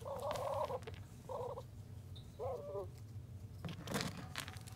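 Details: Muscovy duck kept safe indoors in a box for the night, giving three short, soft, tonal calls with a slight wavering quality over the first three seconds, followed by rustling and scratching sounds against a low steady hum.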